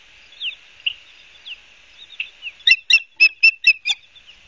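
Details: Osprey at its nest in Barnegat Light, New Jersey, 12 September 2022: soft, thin slurred whistles at first, then a sudden burst of six loud, sharp, evenly spaced chirps.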